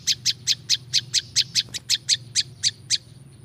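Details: Olive-backed Tailorbird, wild-bird luring recording: a dozen or so crisp, shrill chip notes in quick succession, slowing slightly before stopping near the end.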